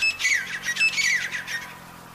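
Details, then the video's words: Call of a wild jungle partridge, loud scratchy notes repeated rapidly in two clusters, each with a bright squeaky start dropping lower, fading out toward the end. "jangli teetar ki awaaz"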